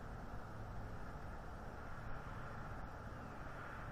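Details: Low rumbling background noise with a faint steady hum is heard at an eagle nest on December 4, 2023, and no calls stand out.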